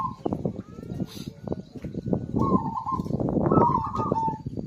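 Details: Zebra dove singing vigorously, used to stimulate birds that have stopped singing: a brief coo at the start, then a longer rising, trilled phrase near the end, over loud low knocking sounds.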